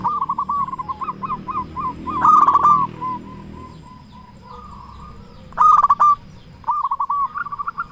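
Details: Zebra dove, a local constant singer with a strong voice, used to lure and arouse other zebra doves into song: several runs of bubbling staccato coos, two loud rattling bursts, and fainter overlapping cooing throughout.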